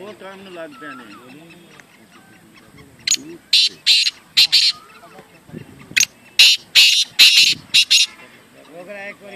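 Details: Black francolin at a calling tournament: human talk at first, then a run of loud, harsh, grating bursts, each under half a second, coming in quick clusters during the second half.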